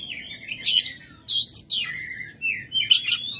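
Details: Oriental magpie-robin (kacer) giving rough, harsh 'materi kasar ngebyak' song used as tutor material for other songbirds. Loud high whistled phrases sweep down and up in short bursts separated by brief pauses, over a low steady hum.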